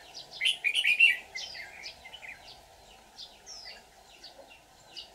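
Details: A white-cheeked red-whiskered bulbul sings as a trapping decoy, dated 24 July 2019. A loud, rich, chattering burst opens, then softer scattered whistled notes and short slurred phrases follow.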